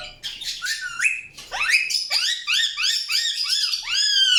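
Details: Indian ringneck parakeet chirping in a rapid run of bright, arching notes that rise and fall, each slurred chirp repeated in quick succession, loud and clear with a quiet background.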